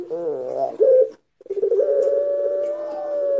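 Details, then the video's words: Turtle dove of the long-cooing pelung type, played as a lure to draw out other doves: a wavering, throaty coo, a brief pause, then one long, steady, sustained low coo. "Pancingan ampuh puter pelung suara mantap"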